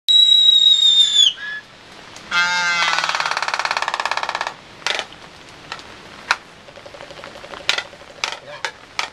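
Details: A Laysan albatross couple courting in the rain on Valentine's Day: a high drawn-out whistle, then a rough buzzing wail, followed by a series of sharp bill clacks.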